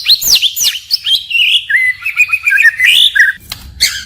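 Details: White-rumped shama in continuous, changing forest-style song: high swooping whistles, then a long warbled, rippling phrase, ending with a sharp burst.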